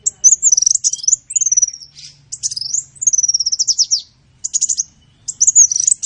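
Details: Sunbird song played for training other songbirds: a dense, very high twittering with rapid pulsed bursts and quick slurred whistles, delivered in near-continuous runs with brief pauses.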